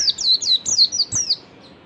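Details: Ngalas-style song of an oriental white-eye, played to draw a response from other white-eyes: a rapid string of six high, sweet whistles, each sliding steeply downward, delivered in under two seconds.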